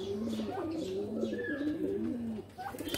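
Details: Close, rich pigeon cooing in a loft, a continuous run of deep, rolling notes from more than one bird that fades out near the end, with a low hum underneath.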